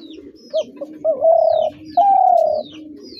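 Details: Spotted dove: a brief clipped note, then two long, level coos, the second pitched a little higher and falling, with a soft low murmur and faint high chirps behind.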